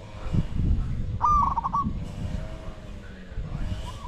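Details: During a decoy session luring wild spotted doves, one rolling coo phrase sounds midway, broken into quick pulses. Low wind rumble and a faint second coo lie behind it.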